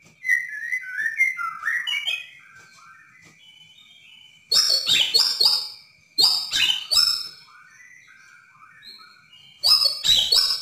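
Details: White-rumped shama of Borneo singing continuously as a training recording to make another shama sing: descending whistled phrases followed by sharp, high, chattering bursts repeated several times, with a faint steady tone between them.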